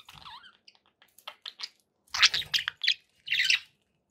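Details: Pet budgies give a soft wavering warble, then scattered short chirps, ending with louder scratchy squawking bursts.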